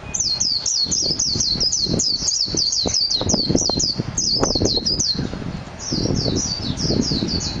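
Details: Japanese white-eye (mejiro) song, a fast stream of high twittering descending notes running almost continuously, accompanied by lower clattering and knocking noises in the background.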